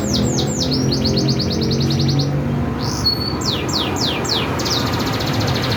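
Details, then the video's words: Masteran bird song played to draw replies from other birds: rapid rows of high descending chirps, a short pure whistle midway, then more sweeping notes, with constant low rumbling noise beneath. "Burung masteran super heboh yang lain pasti nyaut"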